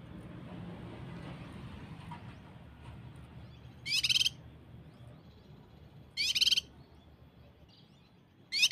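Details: Common Iora (cucak kinoi) 'tembakan rapat' tutor recording, played so birds will sing: three short, piercing buzzy trills, roughly two seconds apart, rising out of a soft background murmur.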